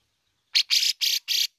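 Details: A grey-cheeked bulbul gives four harsh, buzzy, high-pitched rasps in quick succession, each about a fifth of a second long, with no other sounds; it is recommended as a lure sound to prompt other birds to sing.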